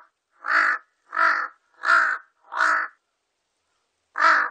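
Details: Large-billed crow repeating four coarse, broad caws about two-thirds of a second apart, then a pause and one more caw at the end.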